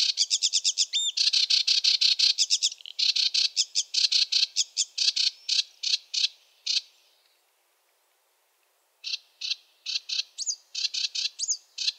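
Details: Sedge warbler chattering song with a fast rattle and buzzy phrases, a quiet gap of nearly two seconds, then resumed clicks and sweeter upward-slurred whistles, possibly mimicry.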